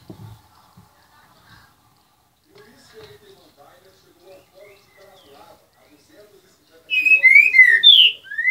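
A green-winged saltator gives a loud burst of rich, slurred whistles, three or four quick notes sweeping up and down, after several seconds of faint background sounds.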